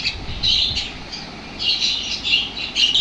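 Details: Lovebirds turning lively and energetic in reaction to lovebird sounds; shrill, buzzy squawking chatter in bursts about every half second to a second, with a low rumble of background noise.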